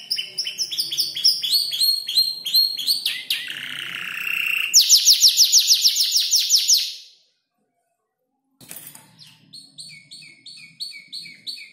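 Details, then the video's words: Five-month-old canary arranging song learned from tutor birds including ciblek, klik-klik and prenjak lumut: fast chattering syllables, a buzzy drawn-out tone, a loud rapid trill, a pause, then quieter repeated chirps. "Kicau burung kenari gacor noto lagu U 5 bulan"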